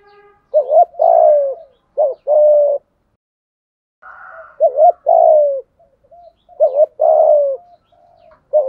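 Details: Decoy spotted dove giving its complete call sequence to lure doves: paired low coos, each followed by a long sliding note, in two bursts separated by a pause. A brief higher, noisier bird sound comes between them.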